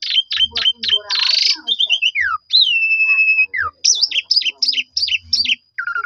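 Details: Black-collared starling song played as a lure: clipped whistles, a loud harsh burst, a falling series of notes, a long level whistle, then a run of sharp looping chirps and a final falling note.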